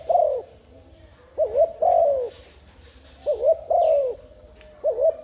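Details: Spotted dove cooing to stimulate and lure wild doves: a quick double coo then a longer, drawn-out falling coo, the phrase repeated about every two seconds, with a low background hum.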